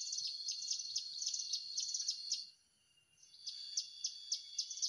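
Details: A hill prinia, recorded during a trapping outing, gives high, sharp repeated notes at about four per second, with a brief pause midway before the series resumes.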